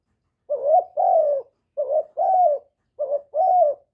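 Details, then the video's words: Coo call of a kept spotted dove used to prompt other doves to call. Three two-part coos, each a brief upswept note followed by a sustained, slightly falling one, spaced a little over a second apart, no other sounds. "Cu gáy hạp bổi GÁY GỌI + THÚC + GÙ + BO kích bổi hiệu quả, cu đất gáy, tiếng cu cườm gù, cu bo"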